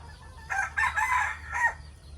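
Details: Morning crowing from a decoy rooster. A single rasping cock-a-doodle-doo breaks into three bursts, with the last note sliding downward, over steady low-frequency hum.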